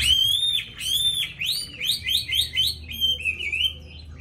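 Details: Hwamei kept in a cage, praised for its pure wild-style voice and eager singing, giving clear ringing whistles, long sliding notes followed by a run of quick rising phrases repeated about twice a second.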